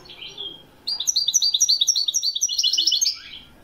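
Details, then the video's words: Widani goldfinch from Morocco singing a lively phrase of evenly spaced bright chirps that speeds into a denser tinkling trill, after a soft lead-in note. "تسجيل طائر الحسون الويداني من أجمل الطيور لسنة 2021... le meilleur chant du chardonneret au maroc"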